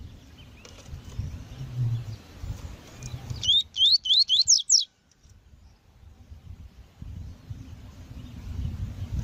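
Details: Tui-tui style song of a double-collared seedeater, recorded for training birds for tournaments, with a female: about six sharp upsweeping whistles in just over a second, set against continuous low-pitched background hum before and after.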